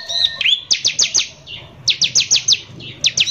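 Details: Bar-winged prinia in full voice, singing a harsh 'nembak kasar' lure song used to agitate other prinias: a twisting chirp, then repeated runs of five quick, high, sharp notes separated by short pauses.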